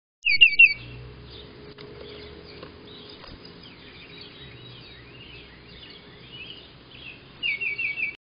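A titmouse gives a quick burst of bright, high notes, then a run of four sharp chirps repeated at a brisk pace; faint bird twittering carries on between.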